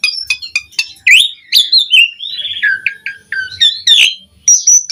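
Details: Busy Asian pied starling song used to stimulate and teach other starlings: short chips, fluty slurred whistles, a buzzy wavering phrase and a high thin note at the end.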